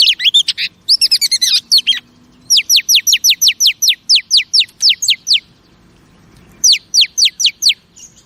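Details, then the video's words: Female oriental magpie-robin, played to arouse male pet birds: warbled chirps, then long series of evenly spaced, high, steeply descending whistled notes, about three per second, with a brief pause before more follow. "Chòe Than Mái Kích Trống Phê Tận Não"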